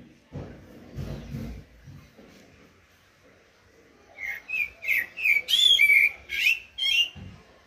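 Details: Low indistinct rustling and muffled sounds, then a common blackbird bursts into a loud run of mellow whistled notes that rise and fall, with bright squeaky flourishes near the end.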